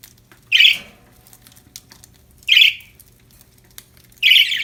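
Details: Cheerful budgerigars calling: three loud, raspy, squawk-like chirps, each about a quarter second long, repeated roughly every two seconds against a near-silent background.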